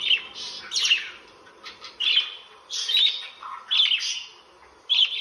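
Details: Budgerigars chatter in bright, scratchy warbles and chirps in irregular bursts every second or so; the owner hears them as swearing, saying "you stupid".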